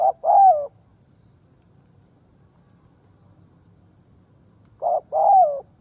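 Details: Spotted dove decoy bird cooing to provoke and lure wild doves. Two phrases far apart, each a short low note followed by a longer, slurred coo that rises then falls, over a quiet background.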